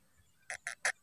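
A black francolin gives four loud, harsh, grating notes in quick even succession, about five per second, with no other sounds.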